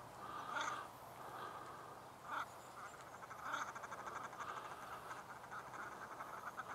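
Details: Common shelduck fighting for a mate in the mating season: loud harsh calls in bursts roughly every second, with a steady low hum and background noise behind them.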